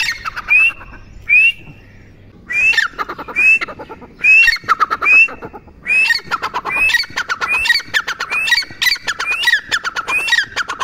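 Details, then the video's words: Partridge call series: harsh, squawking bursts mixed with short rising whistles, starting spaced out and then speeding into a rapid, excited run of repeated notes. "Teetar ki awaaz"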